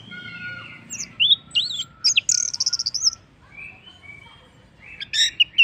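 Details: Orange-headed thrush singing as a lure to set other birds off: varied sweeping whistles, then a fast buzzy trill of rapid repeated notes lasting about a second, ending with a high chirp after a quiet gap.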